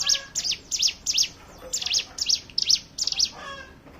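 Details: Lure song of the hill prinia (ciblek gunung), meant to make other birds sing: bright, high, quickly falling chips in pairs and threes, paced about every third of a second, with a short soft gap midway.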